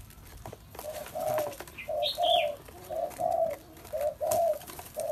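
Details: Spotted dove cooing in an even, regular rhythm, each phrase a pair of soft, hollow low notes, with a couple of faint high chirps from another bird early on.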